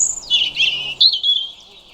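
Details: European robin (Erithacus rubecula) singing: high, thin warbled phrases tumbling downward, a brief pause, then a second sharp, bright phrase that slides lower and fades into quiet background.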